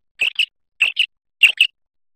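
Common quail giving three quick phrases of sharp, high two-note chirps, repeated about every 0.6 seconds against a quiet background.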